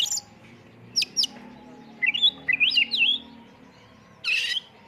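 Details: Oriental magpie-robin (kacer) lure song in full-isian tembakan style: two sharp high notes, a wavering warbled phrase, then a brief harsh rasp, over a steady low background hum.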